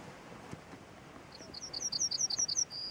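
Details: Small bird perched on a branch sings a rapid run of high, bright repeated notes, closing with a sustained level whistle; quiet outdoor background.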